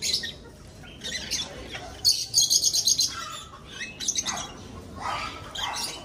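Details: Aviary lovebirds during breeding, chattering in rapid high-pitched chirps, a run of quick sharp notes in the middle then scattered shrill calls, several birds calling at once.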